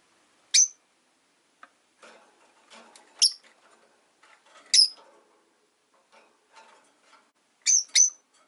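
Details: Five caged rosy-faced lovebirds near a window give loud, sharp chirps: single squeaks spaced about a second apart, then a quick pair at the end, with soft rustling and clicks between.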